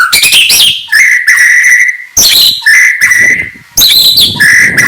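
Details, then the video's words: Morning song of a white-rumped shama: bursts of sharp chattering notes alternating with long, level, ringing whistles, phrases separated by short pauses. "kicauan murai batu pagi hari"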